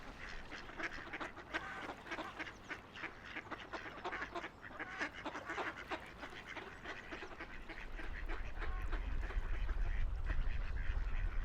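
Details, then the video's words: Ducks playing on a river give a fast, uneven run of quacks, about four a second, while a deep rumble of water or wind swells in the last few seconds. "Relaxing Ducks Quacking by the River"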